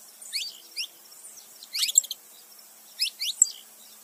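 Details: Saffron finch, a male and female together, giving a few short, high, downward-sweeping chirps in small clusters separated by quiet gaps.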